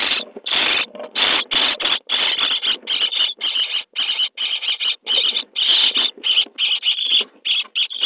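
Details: Feeding time for common starling nestlings in a nest box, day 23: a frantic, almost continuous chorus of loud hoarse rasps, overlapping with barely any pauses.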